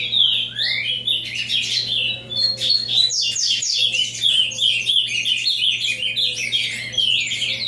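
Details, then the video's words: Avalanche-style song of an ultramarine grosbeak, opening with clear rising whistles, then breaking into a dense torrent of fast, sweeping chirps and slurred notes that runs on without a break. "Azulão avalanche"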